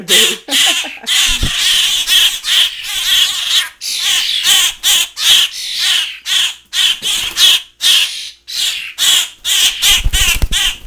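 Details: Fledgling grackles and starlings, hand-raised and now large, clamour to be fed indoors before release to an outdoor cage. Rasping screeches come in quick irregular bursts, a few brief pauses breaking the continuous din.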